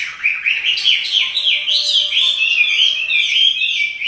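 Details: Chinese hwamei kept as a cage bird, singing loudly while dancing; a fast run of bouncy whistled notes that merges into a sustained, wavering warble, with a faint low steady tone behind.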